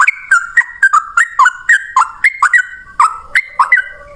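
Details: Fighting male yellow-vented bulbul in 'ropel panjang' long-song style, played as a lure for other bulbuls: bubbly, rapid chattering whistles, each note sliding down then up, repeated steadily for four seconds in a clean recording.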